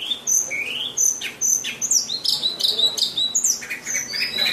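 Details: White-rumped shama in full song, a rich varied run of high whistles, upslurs and sharp chips delivered continuously, with a faint murmur of background noise.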